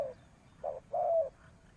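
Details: Spotted dove kept as a decoy bird, calling to lure wild doves: a short run of low, hoarse cooing notes, a brief note, a pause, then a longer drawn-out coo, over quiet background.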